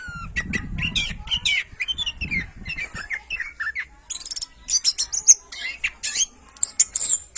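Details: Dense, fast warbling of an orange-headed thrush, used as a training song for other birds: tumbling whistles and chatters, with a low rumble in the background during the first seconds.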